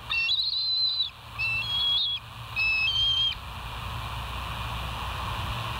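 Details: Bald eagles at the West End nest, filmed by a live nature cam on 08/06/2023 at 05:24. Three drawn-out, high whistled notes with a piping quality, each lasting about a second, sound in steady steps with a hiss in the background.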